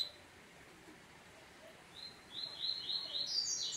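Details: Coleiro (Double-collared Seedeater) shown acting up. Near-silence for the first two seconds, then a fast, high-pitched twittering run of short notes that grows louder and busier toward the end.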